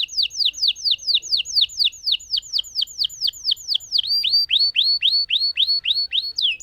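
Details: Canary of the lemon variety performing a long roll: steady series of about twenty falling whistled swoops, then a run of rising hooked notes repeated about three times a second, bright and clean over a quiet background.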